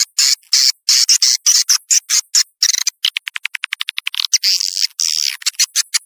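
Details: Swiftlet calling played to attract outside birds: short, harsh chattering bursts, then a quick series of rhythmic clicks, then more buzzy twitters.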